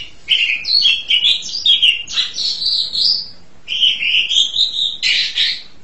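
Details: Asian pied starling in full song: a steady stream of slurred whistles and buzzy chattering notes, a brief lull, then a rising whistled phrase ending in a harsh burst.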